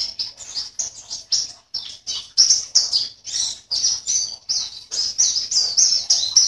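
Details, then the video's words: Online competition entrant 16, a caged white-eye from Sambas, West Kalimantan, delivers a steady run of rapid, high-pitched chirping notes, each burst closely following the last without pause. "LOMBA PLECI ONLINE 16 - Aksi Pleci VIRUS"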